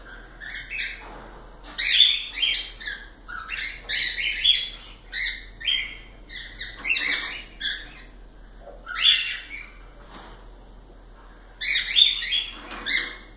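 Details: Cockatiels calling almost without pause. Dense runs of harsh, harmonic, chirpy notes pile up in quick clusters, with short lulls and a renewed loud burst near the end.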